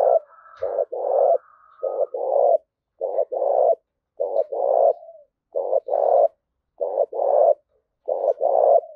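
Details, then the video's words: Spotted dove coos used to provoke fighting, repeated quickly and almost without pause: paired notes, a short one then a longer rough crooning one, about every 1.2 seconds. A faint steady higher tone sounds near the start. "Tiếng chim cu gáy thúc đấu"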